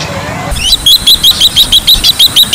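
A bronze-winged jacana gives a fast run of sharp, high, piping notes, about five a second, after a brief moment of background noise.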